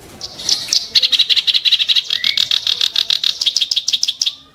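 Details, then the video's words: Kerak basi bird delivering a long, harsh chattering rattle of evenly repeated rough notes, about six a second, sharp and grating throughout. "burung KERAK BASI tembakan tajam & kasar"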